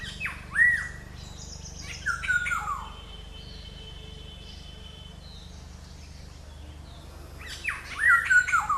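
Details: Black-hooded oriole giving harsh, nasal, downward-slurred squawks in three bursts, at the start, the middle and the end, separated by quieter stretches with a faint steady tone and low hum.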